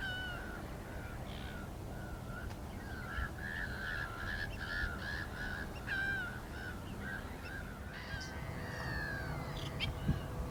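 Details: Black-winged stilt producing a steady series of short, nasal, mid-pitched barks in an even rhythm, with fainter higher calls overlapping later and a light background hiss.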